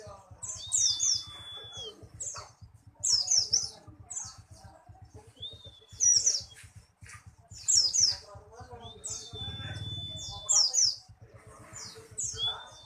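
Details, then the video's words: Pleci buxtoni white-eye singing bursts of high, thin, twittering chirps roughly every two to three seconds, with a long steady high whistle drawn out between some phrases. "pleci buxtomi"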